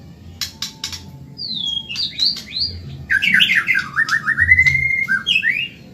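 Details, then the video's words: Fast, lively song of a Medan white-rumped shama used to train caged birds. After a few clicks, high whistled sweeps give way to a dense chattering phrase, then a long falling whistled series and upward slurs. "Masteran burung murai Medan super cepat gacor"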